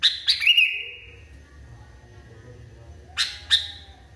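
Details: Sooty-headed bulbul, described as wildly agitated, gives a sharp burst of chirps ending in a long, slightly wavering drawn note, then falls quiet before two more abrupt clipped notes near the end.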